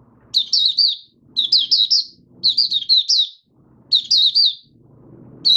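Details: Oriental white-eye kept in a cage, fifth day after monthly deworming, January 2022, giving 'buka sing' song: five bursts of shrill, rapidly wavering twittered notes separated by short pauses, with a low muffled rumble underneath.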